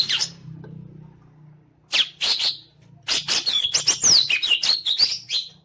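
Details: Green leafbird fanning its tail while singing: a brief chirp, a low hum in the background, two sharp chirps, then a dense burst of rapid chips and twisting whistled notes.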